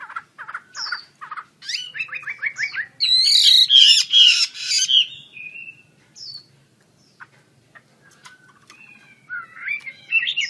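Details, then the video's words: Chinese hwamei (Wambi Kembang) in energetic song with wings opened: short whistled notes, a harsh burst of loud squawky phrases mid-way, then a long pause and a few rising whistles. "KICAU HWAMEI WAMBI KEMBANG GACOR BUKA SAYAP"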